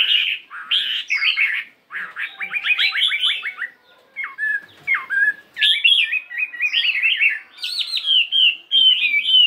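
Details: Morning singing practice of a 72-gram fighting Chinese hwamei, switching voices: warbles, a fast rattling trill of repeated notes, a few dropping whistles, then more ornate warbled phrases.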